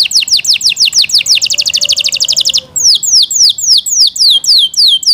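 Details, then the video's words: Yorkshire canary kept at home, delivering a rapid high trill that speeds up, then a slower series of loud, downward-sweeping whistles repeated about three times a second. "Yorkshire canary Nice sound"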